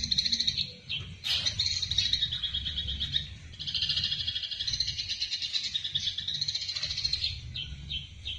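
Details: Eurasian tree sparrow in fighting mode, recorded to train other songbirds: a steady stream of high, rapid chirps and trills running almost without pause, with brief breaks and a low background rumble.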